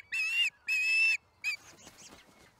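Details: Osprey delivering a fish to its nest at Charlo, camera recording from April 26, 2019, 1:50pm MDT; two drawn-out piercing whistles and a short third note, followed by soft rustling.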